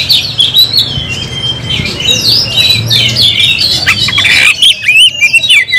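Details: Oriental magpie-robin kept in a cage, pouring out rapid varied song of whistled slurs, buzzy notes and sharp upward and downward sweeps, ending in clearer separate whistles.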